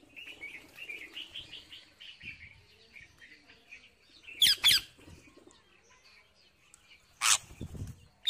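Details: Wild parrot eating seeds: a run of short chirpy notes repeated rapidly for about three seconds, then quieter calls, broken by two loud sharp crackling bursts.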